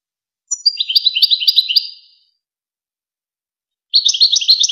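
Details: European goldfinch singing, a recording meant to teach young goldfinches and hybrids: two rapid bursts of liquid, rattling twitter separated by a pause of nearly two seconds, no background noise.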